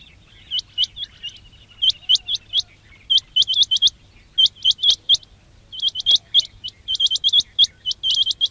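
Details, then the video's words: Quail giving sharp, high, hooked chirps in quick bursts of two to four, repeated in runs, over a faint low hum; a call recording used to lure quail for trapping. "quail batair ki awaz"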